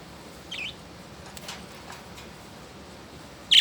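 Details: Two pet budgerigars, Oscar and Skye, playing in their cage outdoors; two short, high chirps, one near the start and a louder one at the end, over a quiet background.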